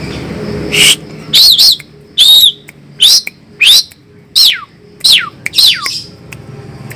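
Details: Fierce Asian pied starling singing a series of loud, clear whistled notes, many sharply downslurred, repeated about every half second with brief gaps, against a faint low background hum.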